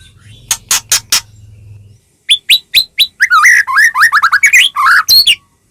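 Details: Song of a white-rumped shama meant to spur other shamas into singing: a few sharp clicks, a brief gap, then loud whistled notes turning into fast, looping, warbled phrases.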